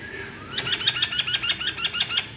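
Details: Chinese hwamei song: after a faint tone, a rapid series of about ten short, bright, high notes repeated evenly several times a second, in a quiet indoor-sounding setting.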